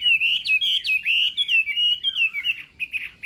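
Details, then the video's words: Chinese hwamei contest song during morning voice practice: long clear whistles with abrupt upward leaps, then quicker falling notes and a softer, blurred twittering end. "Hoạ Mi Hót Đấu /hoạ mi hót sáng luyện giọng kich bổi sổ giọng chim hót hay mỗi ngày/"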